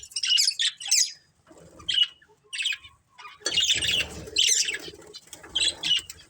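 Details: Colourful budgerigars from a family group chirp in rapid scratchy bursts, bright high notes clustered in short runs with brief quiet gaps, a fuller chorus of overlapping chatter building after the midpoint.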